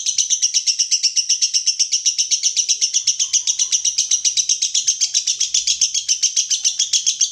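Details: Lovebird in the konslet singing style, a recording for tutoring birds: one unbroken, rapid, high-pitched chattering trill, about four pulses a second, held steadily throughout with no pauses.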